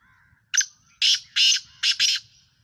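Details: Sindhi black francolin (kala tetar) from Pakistan calling: a short lead note, then four loud, harsh, grating bursts packed into about two seconds. Faint low rumble sits underneath.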